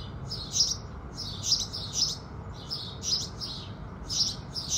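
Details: At sunrise house sparrows give loud, clear chirps, each followed by a softer note, recurring about every half to one second, over faint low background noise.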